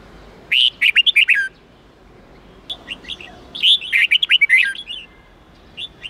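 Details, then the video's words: Red-whiskered bulbul song in the wild-standard 8-9-10 style, played to train young birds to learn it: two bursts of about eight quick, liquid, whistled notes near the start and middle, then a short closing phrase, over a quiet background. "Luyện Chào Mào Hót Giọng 8-9-10 Ép Chim Non Học Giọng Chuẩn Rừng"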